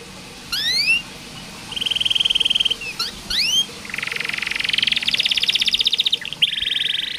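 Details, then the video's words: Canary song used as tutor material for young or reluctant singers: bright rising whistled sweeps, then a steady buzzy trill, more upswept notes, and a long rapid pulsed trill ending in a higher rolling phrase. "KENARI malas bunyi, Terapi burung macet/susah bunyi masteran kenari"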